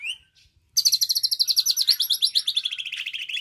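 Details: Nine-month-old captive white-rumped shama performing learned imitations of other birds such as lovebird and canary: a short rising whistle, then a long rapid rattling trill of high buzzy notes that slowly descends in pitch.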